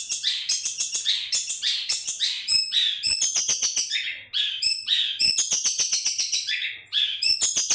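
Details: Happy long-tailed shrike in full song: rapid, scratchy chattering phrases mixed with clear whistled and mimicked notes, about three or four elements each second, continuous with two short breaks.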